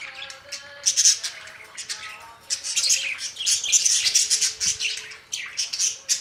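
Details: Continuous budgerigar chatter, a dense run of harsh, high, clicking and squeaky notes that builds into a long busy stretch before a short pause and more chirps.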